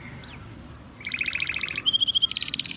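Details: Vigorous song of a male canary: short high slurred whistles lead into a run of rapid mid-pitched trilled tours, then a level piping trill and a final very high, fast pulsing roll, all delivered without a break.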